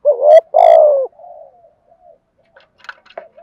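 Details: Decoy spotted dove cooing to stir wild birds into calling: a brief low note, then a long, loud, mellow falling coo, followed by quiet trailing murmurs and a few faint higher chirps.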